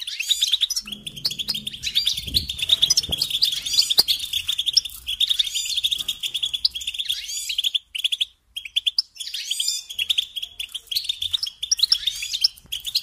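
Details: European goldfinch song used as a tutoring lesson for training young songbirds: a continuous, fast twittering of bright, liquid notes with brief pauses near eight and nine seconds, and a faint low rumble early on.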